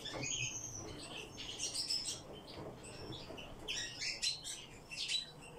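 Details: Eurasian bullfinches kept in captivity, giving bursts of short, high chirps and brief whistled notes in irregular clusters, with quiet low hum underneath.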